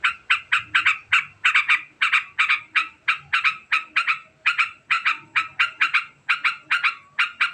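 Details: Sooty-headed bulbul giving a long, very fast ngekek chatter: harsh, buzzy notes repeated in rapid runs several times a second, pausing only briefly between bursts, with a faint low hum in the background.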